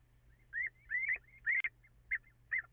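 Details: Little owls calling before dawn on 14 April after 04:56, perhaps two at once, with echo: a rapid series of five or six rising, mewing yelps, some slurred together, then shorter spaced notes, above a faint low hum.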